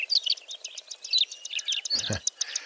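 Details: Melodious lark song given during its display flight, mimicking other birds such as European bee-eaters and cloud cisticola: a dense run of high, rapid chirps and short whistled notes, with a brief lower burst of noise near the end.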